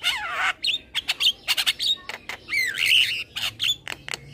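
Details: Young male black-winged starling kept in a cage, nodding as it sings a training master: opens with a long harsh rasping note, then quick clicks, broadband chatters and a drawn-out rising whistle.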